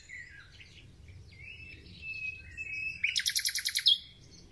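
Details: Thrush nightingale at the start of spring: soft drawn-out whistles, then an abrupt, loud series of about ten clipped, repeated notes.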